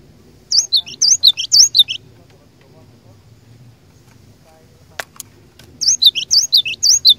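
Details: Persistently singing cinereous tit used as a lure to draw rival tits into song: rapid high two-note whistles, each sliding down, repeated about twice a second, two phrases with a quiet gap and a sharp click between.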